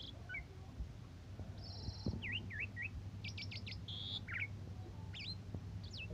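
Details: Asian pied starling in morning and evening song condition, a tutor recording for other birds: sparse scattered notes, a short buzzy trill, quick down-up slurs and sharp chips, against a quiet low rumble.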